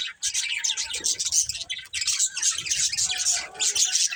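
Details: Steady, rapid budgerigar warbling from a breeding pair: high, grating chirps and squeaky whistles run almost without pause, with faint low rumbling beneath.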